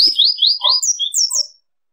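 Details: Fast seedeater song: a sequence of sliding downward whistles joins quick lower twitters, then rises into high looping notes before stopping abruptly; a short thump opens the phrase.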